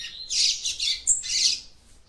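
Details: Loud, harsh, buzzy chattering in quick bursts from a female papa-capim seedeater calling to excite her male.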